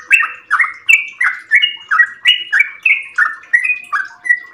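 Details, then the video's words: Caged sooty-headed bulbul in long dawn song: fluty notes with brief flat tops then a drop, varied in pitch, repeated about three per second, with a faint low hum underneath. "trucukan gacor ropel panjang subuh pagi hari"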